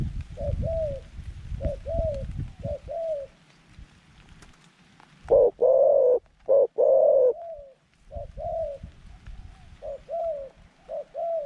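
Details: Zebra dove decoy luring wild doves with a pen trap; quieter, more distant coo phrases repeat throughout, broken mid-way by a loud burst of rolling coos, over low background rumble.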